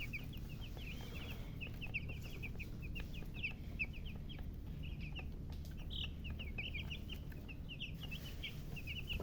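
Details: Several baby chicks keep up a busy chorus of sharp, high, short peeps, some brighter notes standing out, a few soft clicks and a constant low hum behind.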